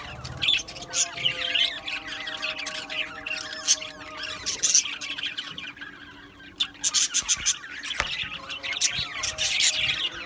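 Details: Australian budgie colony in an aviary, busy overlapping twittering and squeaky chirps, a brief quieter lull midway, then louder clustered bursts of chatter.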